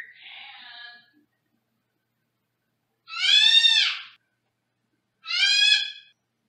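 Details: Male Senegal parrot kept in a small cage in another room of a home: a faint buzzy call, then two loud harmonic squawks that rise and fall, about two seconds apart, with silence between.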